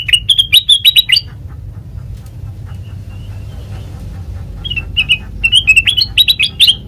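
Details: Black-crested bulbul trapping-lure song: a rapid burst of chirps, a quiet stretch with faint notes, then another quick run of bright, chirpy notes.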